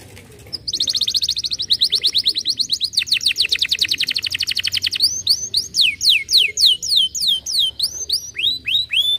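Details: Canary song used to stimulate other canaries to sing: a fast buzzy trill of rapid repeated notes for several seconds, then a slower series of descending whistled sweeps repeated about twice a second.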